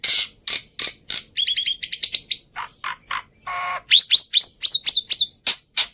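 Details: Black-winged myna tutor song for caged birds: harsh chips, a stuttering high metallic trill, a nasal buzz, then repeated ringing upslurred whistles.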